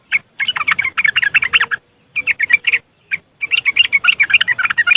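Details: Yellow-vented bulbul in the riwikan chattering style, recorded on an Android phone in West Java, Indonesia, as a lure to stir idle caged bulbuls into singing: fast bursts of bright, scratchy chirps, with pauses between bursts, over a faint low hum.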